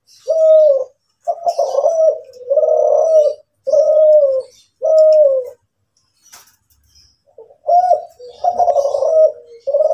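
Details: Champion Kelantan spotted dove, a national contest winner with a seven-note coo (kuk 7): clear, low, mellow cooing notes, some drawn out, some in quick clusters, in a steady series with a short pause, faint higher chirps behind.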